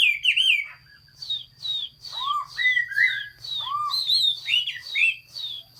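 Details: Chinese hwamei singing in the hót xuý style, recorded 15.06.2021: a rich run of varied, looping whistled phrases, some sliding down and others up-slurred, with a steady high whine and a low hum in the background.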